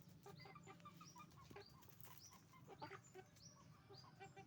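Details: Chicken farm flock of roosters and hens: steady overlapping short clucks and high hooked chirps repeated several times a second, with a low droning hum beneath.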